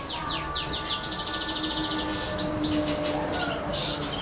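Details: First-clutch European goldfinch × Timbrado canary hybrid from a caged pairing. Rapid, steeply falling high chirps are repeated several times a second in a busy run over a steady low tonal hum.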